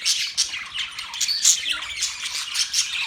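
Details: Budgies, October 11, 2023: a lively wash of high chirps, scratchy squawks and a few clear whistled notes, with many birds calling together.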